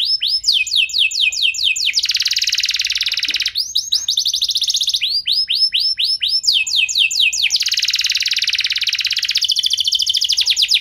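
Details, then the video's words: Canary song used to prompt other caged canaries to sing: loud, fast series of repeated descending whistled syllables alternating with dense rapid trills, phrases changing every second or two, clean background. "Kenari Anda Bisa Gacor Seketika Dengar Pancingan Kenari Nembak Joss Ini"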